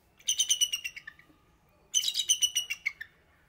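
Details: A captive bald eagle (Haliaeetus leucocephalus) gives two bursts of thin, high, rapid chittering notes, each about a second long, the second trailing off in a few lower, falling notes.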